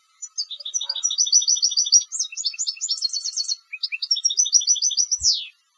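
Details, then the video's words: European goldfinch kept for song competitions, singing a long continuous phrase of fast, tinkling, twittering notes with varied trills, a short pause, then more repeated notes ending in a falling sweep. "Jilgueros de Concurso - Canto del Jilguero"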